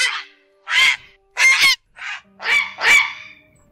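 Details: Grey Heron giving harsh, raspy squawks, about six in under four seconds, loosely paired and uneven, over faint hum; a flock-calling recording played as a lure for night netting in the August 2024 migration season.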